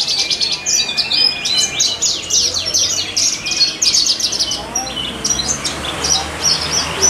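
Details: Competition Horsfield's bush lark at a bird-singing contest in a Purbalingga animal market sings a rapid, unbroken stream of high, sharp chirps, trills and varied phrases over a faint low hum.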